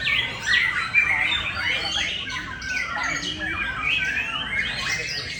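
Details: White-rumped shama singing a rich, varied run of quick squawky and whistled notes, rising and falling sweeps packed closely together with barely a pause.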